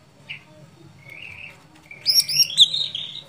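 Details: Sooty-headed bulbul in energetic fighting song: a short chirp, then a slurred warbling phrase, then a louder tumbling run of high whistled notes at the end, with a faint low hum throughout.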